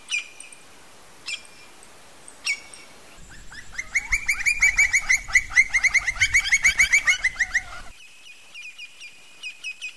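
Campo flicker giving three sharp calls, then a fast series of loud ringing notes, about three a second, ending in softer clipped notes.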